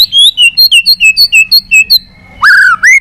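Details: White-rumped shama in fighting song, roused to sing hard with long phrases: a rapid run of about ten clear downslurred whistles, several per second, then a pause and a loud rising whistle with a brief flourish.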